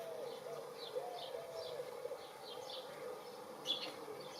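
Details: Wood pigeon in a spring garden, April 2019, giving low, soft, wavering coos through the first half, then quieter, while faint high twittering of other birds repeats above.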